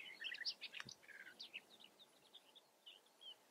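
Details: European bee-eaters in the Eifel, Germany, trading short, liquid, rolling 'prrip' notes in quick, overlapping bursts, several birds calling at once over faint background hiss.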